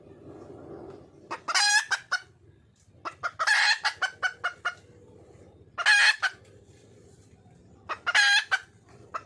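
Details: Wild red junglefowl hen calling for a male: loud bursts of harsh, rising cackles with rich harmonics, interspersed with short clucks, the bursts recurring roughly every two seconds.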